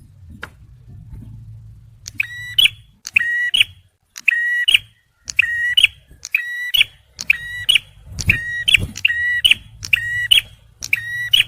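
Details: Male bar-winged prinia singing for luring and prompting stressed birds: after a quiet start with low rumble, buzzy clicked notes repeat roughly once a second and grow denser toward the end.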